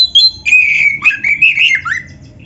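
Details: Kacer, or Oriental magpie-robin, in full song for use as a training master: a long warbling, slightly scratchy run of gliding whistles that rise and dip, ending in a softer trailing note.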